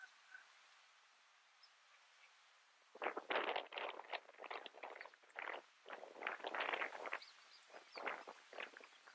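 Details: Northern jacana of subspecies violacea, recorded in Imias, Cuba, in August 2017. After three quiet seconds, a rapid run of harsh, scratchy, broadband chattering notes bursts out and continues in uneven clusters to the end, over faint background hiss.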